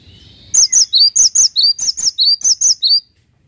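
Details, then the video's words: Cinereous tit singing loudly: after a faint lead-in, a brisk run of about eleven clear whistled notes alternating between a higher and a lower pitch, evenly spaced over two and a half seconds, then silence. "GELATIK WATU GACOR"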